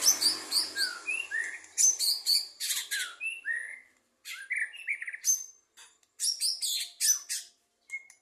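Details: White-rumped shama at a 2023 songbird competition, singing in the 'lepas trotol' style: loud, rapid bursts of sharp high whistles and chirps mixed with rising slurred notes, in dense phrases broken by a short pause midway.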